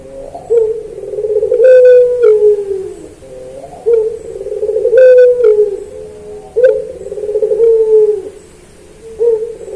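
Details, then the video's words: Puter pelung dove singing in a training recording: repeated low phrases, each a rolling start sliding into a long falling coo, about every two to three seconds, with occasional clicks. "Masteran Puter Pelung Manggung Atau Berbunyi"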